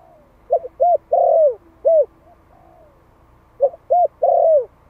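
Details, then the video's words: Vietnamese decoy spotted dove, Malai strain, aged one year, gives its luring call: quick stuttered coos, a clear short coo and a long bowed coo that falls away, then a short coo; the sequence repeats after a pause. "Tiếng chim cu gáy Malai kích bổi - Thanh niên Malai 1 năm tuổi gáy gọi nghe giọng quá phê."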